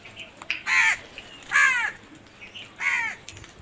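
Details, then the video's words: Crow giving three loud, harsh caws spaced about a second apart, each a drawn-out nasal call with a slight downward bend, over quiet background. "Crow sounds"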